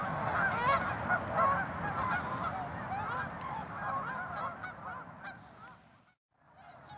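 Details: Flock of tundra swans mixed with geese and ducks in Mississauga, Ontario, Canada, on March 16, 2013: overlapping nasal honking and whooping calls that grow fainter and briefly stop near the end, with low background rumble.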